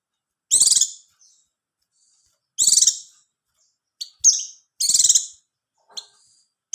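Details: High, buzzy Oriental white-eye bursts come at uneven intervals of roughly two seconds, mixed with brief sharp chips. The song is meant to raise mating readiness and get a quiet bird singing.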